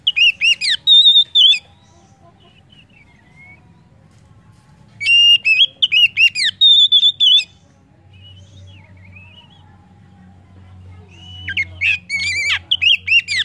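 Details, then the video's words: Oriental magpie-robin song used to stimulate other birds to sing: bursts of loud whistled, warbled phrases around one to two seconds long, separated by quiet gaps, with a low hum underneath. "PANCINGAN KACER AMPUH!"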